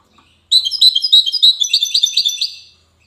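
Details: Widani-style song of a European goldfinch in Safi, Morocco: a quick, liquid twitter of high chirps that turns into tighter, buzzier repeated notes over roughly two seconds, then trails off into quiet.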